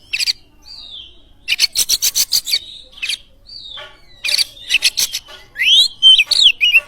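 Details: Kacer (Oriental magpie-robin) singing in a lure recording for other birds. Harsh rasping volleys repeat several times, separated by short sliding whistles, and close with a fast string of rising, twisting notes.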